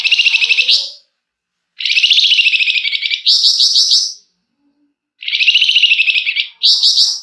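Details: Flamboyan in full, long song, used to prompt another bird to sing: loud buzzy trilled phrases, each about a second long and ending in a higher rattling burst, given in bursts with short silent gaps.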